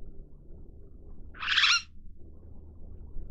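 A long-tailed glossy starling gives one harsh, rasping, half-second call against a quiet background with a faint low rumble.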